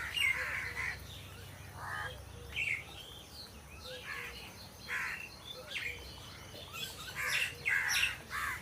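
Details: Several crows in trees cawing irregularly over a long stretch, harsh bursts rising and falling in loudness, with soft low whistled notes from other birds and steady outdoor background noise.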